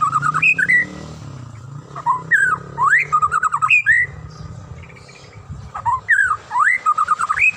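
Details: White-rumped shama (murai batu) singing in the morning to spur other shamas into song; rich whistled phrases with upward and downward swoops and fast clipped note trills, a short quiet pause midway, then the phrases resume.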